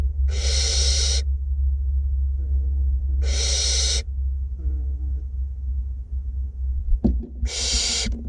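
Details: Two barn owlets being fed in a nest box in north Glasgow give three long, harsh, rasping hisses about three seconds apart; a low steady hum and a single bump are also heard.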